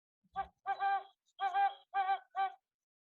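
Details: Recorded call of a great horned owl (Bubo virginianus), presented as heard in Maryland and D.C.-area neighbourhoods and yards: five deep, hollow hoots, a short note, a longer doubled hoot, then three even hoots about half a second apart.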